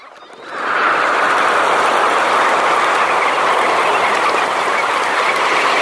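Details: About 20,000 Red Knots take off from a high-tide roost, recorded close up. A dense, steady roar of wingbeats and soft massed calls swells in after half a second and holds.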